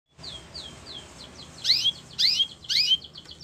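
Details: Canary song meant for training other canaries: a series of falling whistled notes, then louder sweeping upward-and-down syllables repeated about every half second.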